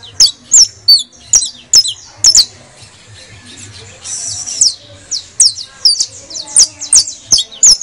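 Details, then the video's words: Criollo saffron finch song meant to stimulate other birds to sing: quick, shrill, down-slurred chirps, then a short buzzy, hissing stretch, then more rapid high chirps, about two per second. "AUDIO PARA ESTMULAR CANTO DE CANRIO DE TERRA CRIOLLO"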